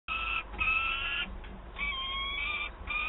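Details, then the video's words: Peregrine falcon chick in Wałbrzych, Poland, 9 August 2022, begging its mother for prey: a continuous harsh, nasal wailing with rich overtones, broken into long drawn-out cries with brief dips between them. "Gutek skarży się mamie "gdzie mój łup""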